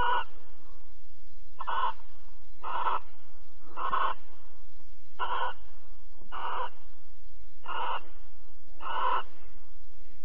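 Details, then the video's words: Barn owls at Alphen in the evening of 22 April 2020, mating and cuddling: a run of eight short, harsh hissing screeches repeated about every 1.2 seconds, steady and even, with a low background hum. "Kerkuil Alphen 2020 04 22 Paring en Kroelen 21 37"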